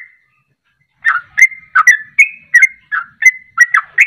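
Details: Sooty-headed bulbul in 'ropelan' style used to spur other birds to sing: a faint note, a second of quiet, then lively repeated whistled chirps, each slurring up or down.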